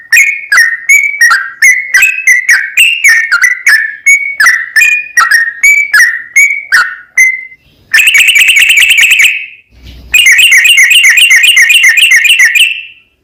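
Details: Sooty-headed bulbul singing a long 'ropel panjang' song to provoke another bird to sing. A fast run of loud whistled notes is followed by long, harsh, buzzy rattling trills with a brief pause between them.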